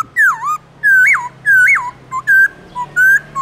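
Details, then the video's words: Black-throated laughingthrush in the morning, a wild-type song played to prompt captive laughingthrushes to sing: loud, clear whistles, each swooping down then up, in phrases of about half a second with short notes between, roughly every 0.6 seconds. "Khướu bạc má hót GIỌNG CHUẨN RỪNG buổi sáng cực hay"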